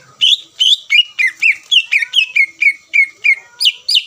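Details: Greater green leafbird singing to provoke rival birds to answer: a steady series of short, slurred whistled notes, about three per second, each dropping slightly in pitch, ending in two sharper, higher notes.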